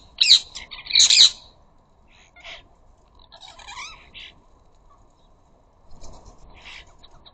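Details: Harsh rasping squawks from ring-necked parakeets at a bird feeder, where flocks of up to a dozen sit, chatter, argue and fight: two loud screeches open, then softer scattered grating calls with gaps between.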